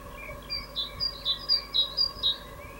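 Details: Great tit evening song, 16 April 2022: clear high whistled notes alternating between two pitches, about seven notes in under two seconds, over a faint steady hum.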